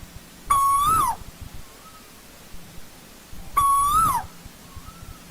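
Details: Asian koel calling in old-growth forest: two loud whistled notes about three seconds apart, each held steady, rising briefly then sliding down, each followed by a faint, softer echo-like reply; low background hum.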